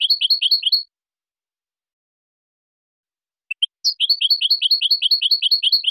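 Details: European goldfinch singing clean competition song to educate young birds: a rapid chain of bright paired notes, about three seconds of silence, two quick chips, then another long fast twittering run.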